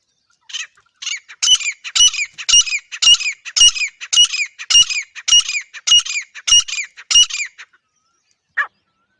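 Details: Female grey francolin giving a loud series of harsh, ringing notes, about a dozen evenly spaced calls across seven seconds, with one isolated note after a short pause. No other sounds are heard.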